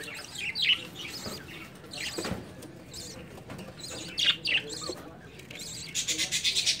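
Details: Budgerigars in breeding season at the start of summer give scattered high, scratchy chirps and short warbled bursts, louder rapid chatter building near the end over a faint low background rumble.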